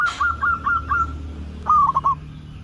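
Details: Local zebra dove in full song, played as a lure so other zebra doves start singing: a short, sharp noise opens, then four evenly spaced cooed notes, a pause, and a stuttering phrase of quick falling notes.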